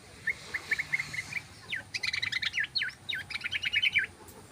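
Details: Yellow-vented bulbul in long ropel style, used as a lure to attract birds: quick bright chirps for a second, then a dense bubbly run of rapid notes rising and falling, steady to the end.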